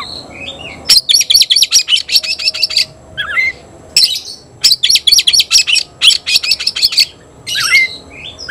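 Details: An Oriental magpie-robin (kacer) cries out to summon an opponent to fight. Brisk runs of dry, high-pitched staccato notes come in several bursts with short silences, and a few soft warbled notes fall between them.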